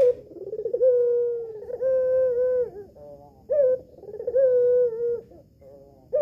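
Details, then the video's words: Captive female collared dove, albino with red eyes, cooing so that males answer. A long, mellow, trembling coo is held for over a second, then a short upslurred note leads into the next coo. "PUTER ALBINO BETINA MATA MERAH SIAP PANCING [[BIKIN GACOR JANTAN ]]"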